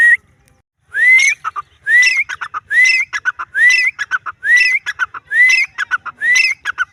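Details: Grey francolin in the wild, starting after a brief silence with a string of sharply rising whistles, each trailed by three or four rough, staccato notes, the phrases coming steadily just under a second apart.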